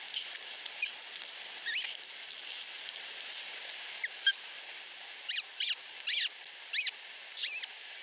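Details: Two less-than-week-old osprey chicks at a nest in Finland beg while competing for food from their mother: thin, high, downslurred squeaky peeps in short bursts, louder near the end, over a steady background hiss.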